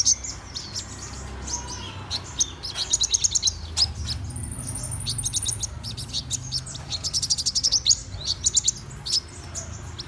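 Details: Morning song of a black-throated sunbird: bursts of rapid, very high ticking trills and sharp chips, stopping and starting, over a soft low rumble.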